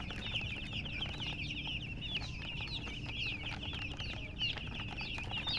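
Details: Baby chicks alongside a hen, peeping constantly in a crowded chorus of short, high, downward-slurred cheeps over a low murmur.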